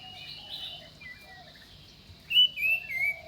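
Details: Common iora giving clear, high whistled notes, three sliding phrases in quick succession near the end, with softer whistles and a faint lower bird note in the background.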